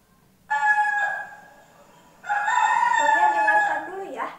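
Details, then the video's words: A rooster (male chicken), said to like crowing in the morning, is played to schoolchildren as a guessing game. Two long, harmonic-rich crows; the second is longer and ends in a drawn-out falling tail. A faint low hum sits between them. "Yah betul itu suara hewan ayam jantan"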